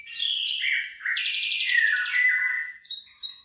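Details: A bird sings among rice fields starting to bear ears, delivering a continuous run of slurred whistles and buzzy trills, dropping in pitch, followed by thin high notes.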